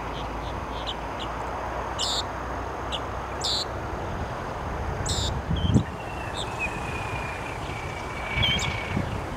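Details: A Loggerhead Shrike's morning song at Celery Fields, Sarasota, Florida, with about four different notes: short, harsh, buzzy high bursts repeated every second or two over steady traffic rumble, with a faint drawn-out whine behind.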